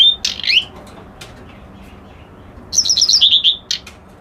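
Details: Reed warbler giving a short scratchy note, then a pause, then a rapid descending series of sweet whistled trill notes ending in a harsh chip.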